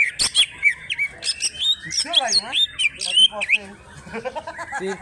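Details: Greater green leafbird from Alas Purwo, Banyuwangi, Indonesia, pouring out nonstop "trok bul" song. Loud, fast run of upslurred whistles, clicks and wavering downward notes, each phrase lasting about a second, delivered back to back.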